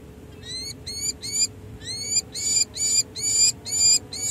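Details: Peregrine falcon pair, Hartley and Monty, at San Jose City Hall in July after the breeding season, pair-bonding: a loud series of harsh, rising wailing calls repeated about twice per second in short bursts, with faint low hum behind.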